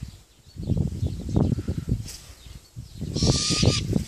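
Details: Great grey owl × Malay wood owl hybrid, captive and believed female: after several seconds of low rumbling noise, a short raspy hiss-screech of about half a second closes the recording.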